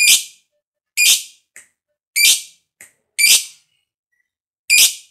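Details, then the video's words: Lovebird, a fighter type, calling to stimulate other lovebirds to sing; loud harsh squawks about once a second, each sometimes followed by a faint short peep. "Pancingan Lovebird Ngekek Panjang SUPER FIGHTER, LB Kurang Semangat Kembali RAJIN BUNYI"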